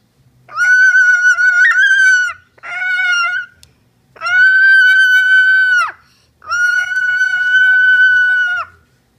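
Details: A pet Moluccan cockatoo, whose owner takes these calls as affection, gives four loud, drawn-out, tonal calls, each one to two seconds long with short pauses between. No other sounds stand out.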